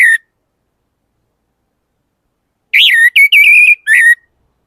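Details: Orange-headed thrush gives a short clipped note, then after a pause a loud whistled phrase: a rising-falling slur followed by several steady, warbling notes, all clear with no background.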